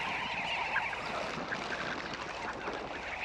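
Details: Sandgrouse arriving by the tens of thousands at a waterhole in northern Namibia, the growing flock rushing to drink close to a small camera; a dense, overlapping chorus of short throaty calls with harmonics, continuous and unbroken throughout.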